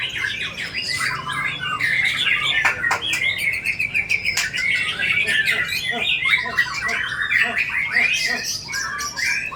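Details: White-rumped shama singing a rich, varied song full of filler phrases: a dense, unbroken stream of whistles, chatters and sharp notes that shift quickly in pitch, with faint clicking sounds throughout.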